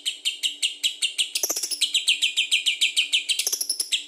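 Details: Lovebird in lively, continuous song used as a lure to prompt other birds, a fast run of sharp chirping notes about four per second, high and slightly buzzy, with a brief burst of rapid clicking midway and again near the end.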